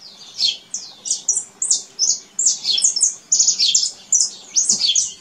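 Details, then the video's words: Singing canary out in nature, a lively run of high, quick chirps and slurred notes tumbling one after another with barely a pause. "CANÁRIO CANTADO NA NATUREZA"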